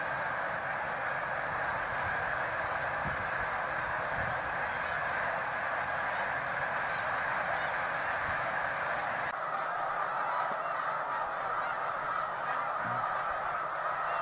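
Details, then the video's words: Migrating snow geese by the hundreds of thousands at Middle Creek, Lancaster County, Pennsylvania, in mid-February to mid-March; unbroken chorus of harsh overlapping honks from a huge flock, with the sound shifting slightly after about nine seconds. "Middle Creek Snow Geese Migration in Pennsylvania"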